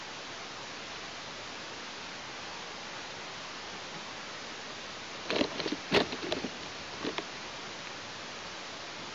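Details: Steady hiss with a short burst of rustling clicks midway and no animal voice.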